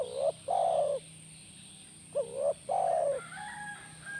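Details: Spotted dove (tekukur) played to coax a reply from a caged dove: two close coo phrases, short hooked notes then a long level coo, followed by thin higher notes from another bird at the end.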